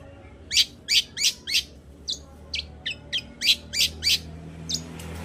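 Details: Long-tailed shrike song as a lure for a shrike that will not sing; a steady run of sharp, high, scratchy notes about three per second against a noisy low background.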